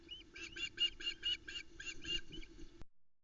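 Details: Osprey at the Loch Arkaig nest on 17 July 2020, the female calling as the male brings a trout to the chicks: a fast series of shrill, slightly hoarse piping whistles, about four per second, over faint rumble.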